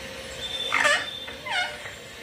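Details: Pet green ringneck parrot talking, giving two short speech-like phrases with harmonic, voice-like tones. The second phrase falls in pitch. A quiet indoor background sits underneath.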